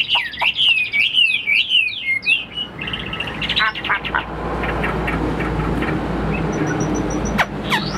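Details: Captive Chinese hwamei, about 85% tame, gives quick looping whistles and chirps for under three seconds; afterwards a steady background rumble and faint voices take over, with one late sharp note.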